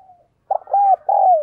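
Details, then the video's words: Spotted dove coo phrase heard up close: after a faint trailing note, a short burst, a steady arched coo and a longer descending coo. "cu gáy"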